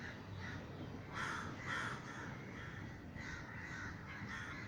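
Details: A large number of crows cawing over a Sri Lankan garden after being frightened by a crow-scaring gunshot; rough, grating caws come about twice per second, with louder pairs near the middle.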